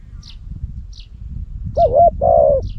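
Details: Captive decoy spotted dove with a loud voice in Cambodia, used to lure wild doves on a hot day. After a quiet start, one loud two-part coo phrase comes near the end, with faint high chirps from small birds.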